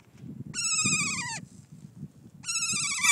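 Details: A kea, New Zealand alpine parrot, gives two long, harsh, nasal screeches that slide slightly downward, about two seconds apart, over a low background rumble.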